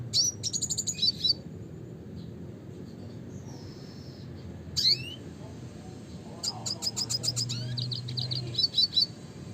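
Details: Red siskin song: a fast trilled phrase, a pause with a thin drawn whistle, a rising sweep, then rapid chirping notes and twittering trills, against a low background hum.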